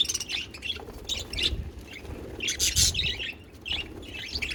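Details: Parakeets kept as pets sing a lively series of chirpy, warbling phrases in quick bursts with short gaps.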